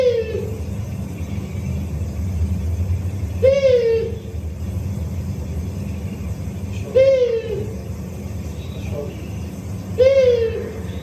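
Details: Long-eared owl (Asio otus), from wildlife recordings of Assynt, Sutherland, Scotland, gives short, slightly falling, nasal hoots about every three and a half seconds, over a low rumble of traffic or room noise.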